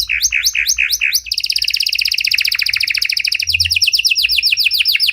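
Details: Song of a panda canary, cengkok mewah style, played to bait and train other canaries: five quick looping chirps, a long rapid rolling trill, then rising repeated sharp notes.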